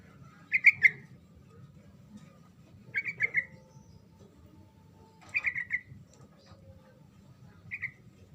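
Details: Sooty-headed bulbul 'ngerol' song, aimed at making silent bulbuls respond: four separate phrases of two to four bright, bubbly notes, spaced a few seconds apart, the last one softer, over a faint low hum.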